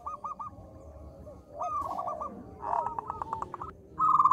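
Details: Local zebra dove singing, used as a lure to trigger calling: short clipped coo notes at the start and end, with overlapping sliding calls and a brief noise burst between.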